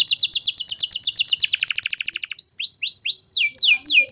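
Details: Old canary singing on a sunny morning, recorded by phone: a very fast even trill of about ten notes per second, then slower separate descending whistles.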